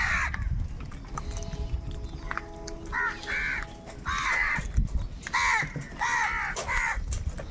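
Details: Crows in a large flock fighting for food: a steady low tonal hum opens, then loud, grating caws burst out from several birds in irregular clusters.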